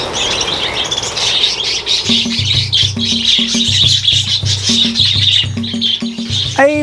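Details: A flock of captive parakeets at a fish-breeding farm chatters nonstop in quick, high, twittering chirps, with a man's voice talking over them and faint music underneath.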